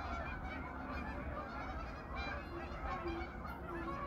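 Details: Geese on their autumn evening pond, hundreds calling at once: a busy wall of nasal honks with a few clearer calls standing out near the end, and a low hum beneath.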